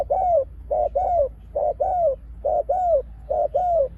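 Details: Decoy spotted dove repeats the sharp pak khruen call used to draw in wild doves: a clipped double coo joined to a curving, falling coo, evenly spaced about once per second.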